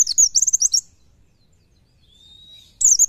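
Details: Oriental white-eye singing in the rapid 'nembak nyepeed' style used as masteran tutor song: a burst of high, fast, jumbled chirps, then a thin steady whistled tone, then another chirpy burst.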